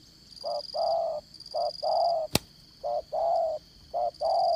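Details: Spotted dove used as a trapping decoy, with 'đồng son' voice in 'dán cổ' style. It gives regular two-note coos, short then long and level. A single sharp click is heard midway over a continuous high insect drone.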